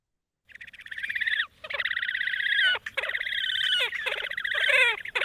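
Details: Horned Grebe in its breeding season, normally mostly silent, giving its raspy whinny braying call: loud, nasal, trilled phrases about one second long, each sliding down at the end, following one another almost without a break.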